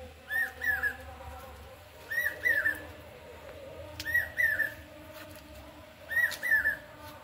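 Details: Common hawk-cuckoo, known locally as chokh gelo, calling on a Durga Puja Saptami morning. A clear whistled three-note phrase recurs about every two seconds, four times, with faint clicks and background household noise.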